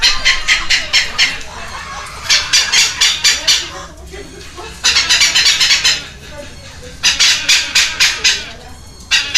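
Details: Feeding frenzy of two young red-lored amazons being fed by hand at a rescue centre in Heredia Province, Costa Rica, May 13, 2022. Bursts of fast, hissy, grating begging pulses alternate with short quiet gaps.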